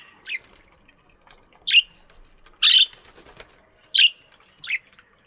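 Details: Budgies in an aviary in the morning, chirping: five short, sharp, scratchy chirps spaced about a second apart, with quiet pauses between.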